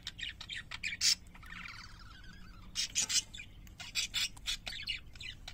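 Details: Pet parakeets trade quick chirps, with a buzzy, grating warble in the middle and loud squeaky notes clustered near the end.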